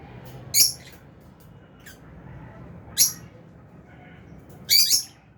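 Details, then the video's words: Lovebirds, albino and Fisher's, in an aviary cage: three loud shrill chirps about two seconds apart, the last one doubled, with faint fainter calls between and a low steady hum. "Lovebirds Chirping Sounds"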